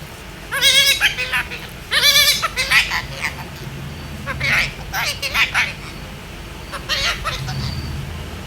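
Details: Female parrot talking to herself in a mirror, uttering short speech-like phrases in bursts of harmonic, rising and falling syllables separated by brief pauses.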